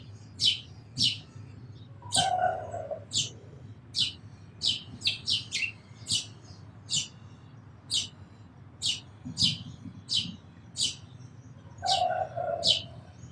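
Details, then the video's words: Sparrow calls in a long irregular series of sharp, high chirps, sometimes bunched in quick twos and threes. A lower, harsher nasal call from another bird breaks in twice, near the start and near the end. "Very Beautiful Birds & Sparrows Sounds"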